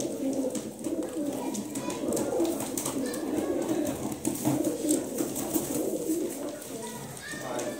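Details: Soft, continuous rumbling coos from a group of Kaldume domestic pigeons, pulsing and overlapping without pause, with light scratchy movement noise and a faint murmur of people behind.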